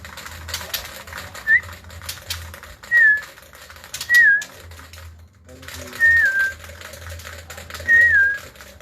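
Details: Male white-rumped shama, apparently growing used to being let out of its cage, gives sparse clear whistled notes, each dropping in pitch, roughly every one and a half seconds, over a low hum and tapping clicks.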